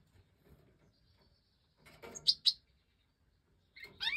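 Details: Five Major goldfinch chicks that have jumped from the nest are fed by the hen in an aviary; rustling, then two loud high squeaks close together and a burst of excited, wavering high calls.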